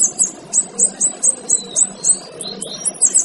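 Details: Male kinoy singing for use in training other birds: a string of sharp, very high chip notes repeated about three times a second, with a few soft rising whistles between them.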